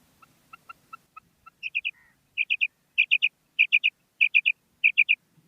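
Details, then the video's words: Female common quail calling, as stated. Several soft, evenly spaced single notes come first, then bright, sharp notes in quick groups of three, each triplet repeated about every half second against a silent background. "Female Batair Ki Awaz|Maadi Batair Ki Awaz new| Common Female Quail Calling|New maadi Batair Ki Awaz"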